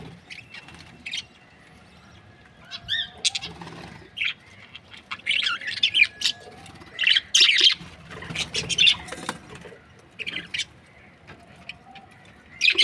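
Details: Budgerigars, Australian parrots in breeding pairs, give scattered chirps and warbling chatter at moderate volume, a few rising squeaks and harsher bursts spread across the recording with quiet gaps.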